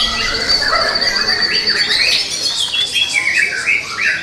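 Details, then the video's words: Young forest white-rumped shama whose repertoire is said to echo the entire natural world; a long sustained high whistle beneath varied rising and falling warbles, ending in rapid bubbling notes. "Murai batu Muda hutan, materinya sealam raya"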